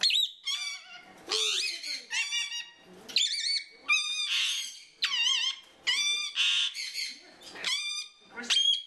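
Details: Captive African ringneck parakeet at a bird rescue giving alarm calls indoors; harsh, squawking and wavering notes repeated about once a second in a steady series.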